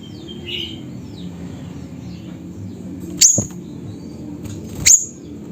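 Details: Siri-siri in Busu Reului, Aceh, Indonesia: two sharp, very high chips about one and a half seconds apart. A brief, softer whistled note from another bird is heard early on, over a low background hum.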